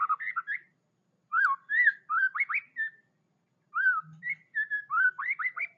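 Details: White-rumped shama song of clear, melodious whistles, looping and slurred, delivered in short bursts separated by pauses of about half a second, ending with a rapid series of upswept notes.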